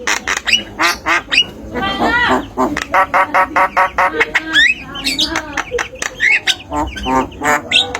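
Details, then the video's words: Tame Javan myna producing a dense string of clipped, harsh, speech-like notes and rasping squawks, broken by a few brief whistles, about three to four bursts per second. "Suara jalak kebo bisa mengatasi burung macet bunyi dan masteran"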